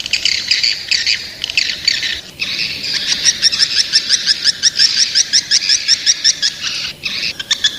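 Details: Young swiftlets: a long, rapid run of high, ticking chirps, nearly three per second. It starts with dense buzzy twitter and swells in the middle, with short pauses before the chirping resumes.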